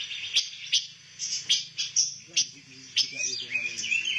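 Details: Pancawarna bird used as training material for white-rumped shamas, giving sharp high chirps at irregular intervals followed by a run of quicker twittering notes, with faint low hum underneath.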